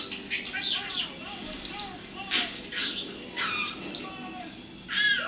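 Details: Pet budgie Bobby chatters in quick bursts of bright, scratchy chirps and warbles, with speech in the background.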